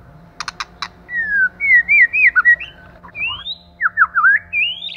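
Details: Male and female white-rumped shama: a few sharp clicks, then a run of clear whistled notes sliding up and down between rising slurs, ending in a long upward whistle.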